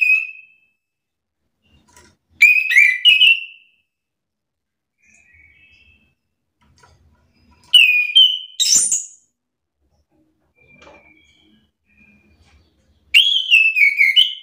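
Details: Chestnut-capped thrush, roused to answer another bird, gives three loud phrases about five seconds apart, mixing sliding fluty whistles with sharp high upward notes, with faint soft chips in between.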